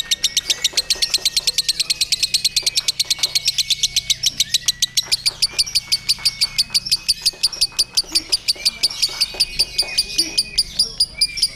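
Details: Ngekek song of a contest lovebird hung up with a hired handler: a sustained rapid-fire stream of rasping chatter notes, evenly repeated throughout, with brief higher whistles from nearby birds.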